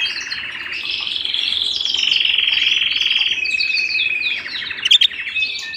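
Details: A canary singing at home, loud and clear: rolling rapid trills held on a steady pitch, shifting to a slightly lower trill, then sharp high chirps near the end.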